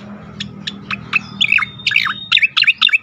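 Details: Cica koreng singing, used as a lure for training other songbirds; spaced sharp chirps build into fast warbled, sliding notes, about four per second.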